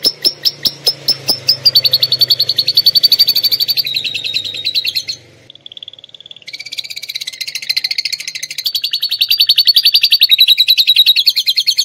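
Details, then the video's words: Atlantic canary filled with lovebird song, opening with spaced sharp clicks over a faint low hum, then long rapid metallic trills, a short pure whistle, and more extended fast rattling. "kenari isian love bird"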